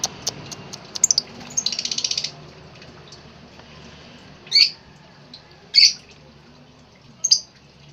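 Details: Lovebird calling: a quick chattering run of sharp, high chirps near the start, then three isolated shrill squawks spaced over a second apart against a quiet background.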